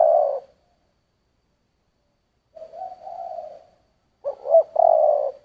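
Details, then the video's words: Spotted dove, song in the 'giọng thổ' style: low, breathy, somewhat muffled coos, a fading note, a drawn-out wavering coo, then a rough double note and a long coo, all fairly quiet against silence. "Tiếng chim cu gáy giọng thổ"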